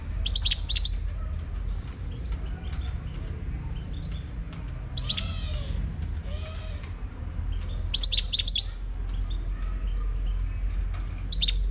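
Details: Wild Moroccan goldfinch singing: short bursts of sharp, tinkling twitters at the start, middle and near the end, separated by quieter faint notes and a steady low hum in the background.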